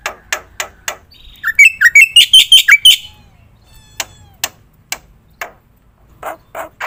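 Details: Black-winged myna singing, played as a lure and training master: spaced harsh notes, then a rapid series of clear wavering whistles, followed by scattered scratchy calls.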